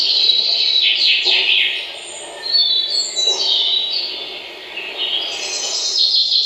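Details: Birds chirping: overlapping high twittering and sweeping notes without a fixed rhythm, over a constant background rumble.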